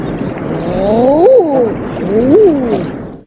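Common eider giving two low, hollow cooing calls about a second apart, each an "ah-ooo" that rises and then falls.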